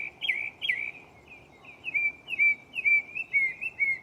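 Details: Mockingbird singing at night in a tree beside the recorder, running through its song catalog: a quick series of slurred, downward-bending whistled notes, about two per half second, clear over faint hiss.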